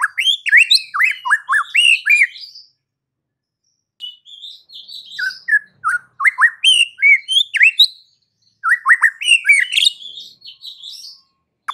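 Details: White-rumped shama (murai batu) song used to make other shamas fight and sing: three rich bursts of fast, varied whistles, chips and trills, divided by short silences.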